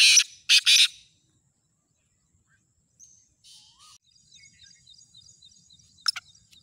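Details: For-sale black francolin gives two loud, harsh, rasping notes at the start. A softer whistled note, a buzzy burst and a run of faint repeated high chirps from other birds follow.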